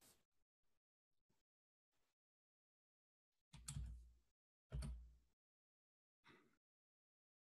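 Quiet indoor room with a few soft clicks, then three louder dull thumps like a door knocking or sliding shut, and no animal voice.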